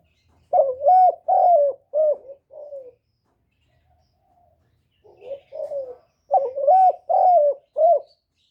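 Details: Decoy spotted dove in captivity calling to excite other doves: rapid runs of four or five low hollow coos, the middle ones longest, then a gap, then another run; otherwise quiet.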